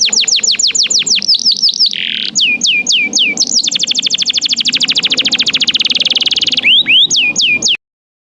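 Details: Canary song meant to prompt other canaries to sing: repeated falling whistles, a short buzzy note, then an extended fast rattling trill and closing swooped notes, over a faint low rumble in the background.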